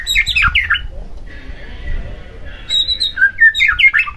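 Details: White-rumped shama song used as a lure to provoke another shama into singing; bursts of varied chattering and squawky phrases at the start and end, with a quieter pause between.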